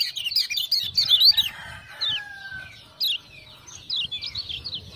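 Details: Lemon-bellied white-eye from Lombok answering ciak-ciak lure sounds with a dense opening flurry of high twitters, then scattered short chirps and a drawn-out lower whistle.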